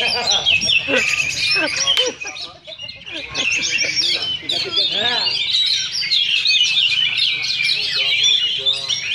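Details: Caged Oriental magpie-robins duel at a Sunday practice singing contest in Sindanglaut, session 2: rapid, varied whistles, trills and chatter pour out almost nonstop, several birds overlapping, with a brief lull and faint voices in the background.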